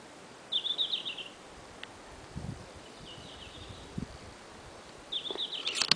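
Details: Red-flanked bluetail singing on its high-mountain breeding grounds: short, high, slightly falling warbled phrases, the first and third bright and a softer one between, about every two seconds, over faint background rumble.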